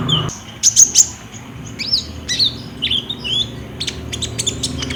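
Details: Olive-backed sunbird singing energetically, recorded on a Samsung J5 phone as a lure to prompt other birds to answer: very high, thin, rapid chips mixed with short rising and falling whistled slurs, in irregular bursts.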